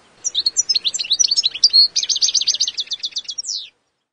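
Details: Balkan goldfinch (subspecies balcanica) from Eastern Europe, wild, delivering one lively phrase of high twittering notes that turns into a fast run of evenly repeated, clipped notes before stopping abruptly.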